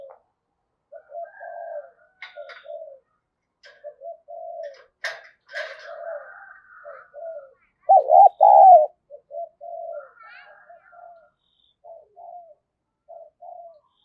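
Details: Female spotted dove cooing to rouse males: many soft low coos from several doves run throughout, with one loud, wavering two-part coo near the end and scattered chirps and clicks.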